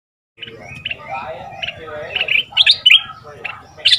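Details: Southern Thai red-whiskered bulbul decoy, caged two months, fierce 'sai boen' style song used to train young birds. Scattered short whistled notes build into bright chirping phrases over a low background hum.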